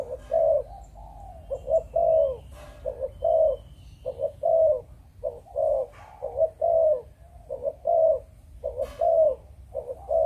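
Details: Spotted dove, a Malaysian breeding bird, cooing in a long steady sequence of short clipped notes and longer swelling coos about once a second, with occasional clicks and faint distant chirps.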